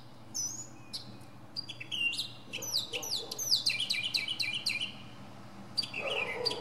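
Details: Singing from a pine top, the mockingbird switches between high thin whistles and a fast run of descending, stacked chirps, ending with a lower rough burst.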